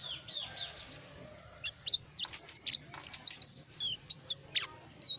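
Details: Selendang biru opening up into full song: after soft warbling at the start, a lively string of loud, high, sharp chirps and twisting whistles tumbles out at a rapid pace, with a faint hum behind.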